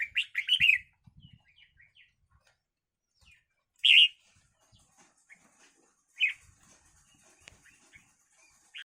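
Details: Red-whiskered bulbuls in a fight: a rapid run of bright, sharp notes opens, then a few isolated loud squawk-like bursts and faint chirps follow, separated by near silence and light rustling.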